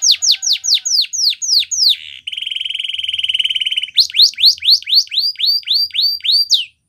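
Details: Canary training song to stir other canaries into song: loud repeated downward-sweeping whistles, a soft low buzzing trill, then more swooping notes with high rising chirps.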